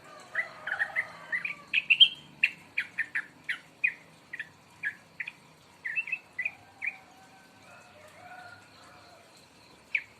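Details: Two-month-old young sooty-headed bulbul just starting to sing: a series of short, rising chirpy notes, rapid and bunched at first, then spaced about half a second apart, fading out with one last note after a pause; quiet background.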